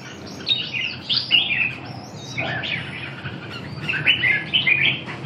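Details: Red-whiskered bulbul delivering lively slurred whistled phrases, several overlapping notes in bursts, with constant low background noise.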